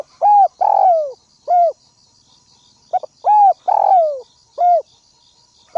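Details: Spotted dove decoy from the Northwest calling to provoke rival doves: two close phrases, each of arched coos, a long falling coo and a short closing coo, loud and clear over steady insect trilling.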